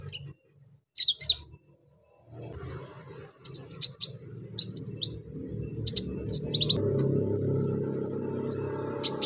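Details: Brown-throated sunbird singing energetically with rough filler phrases to provoke other sunbirds; rapid high, thin chirps and squeaky slurred notes come in clusters, with a low rumbling background growing louder toward the end.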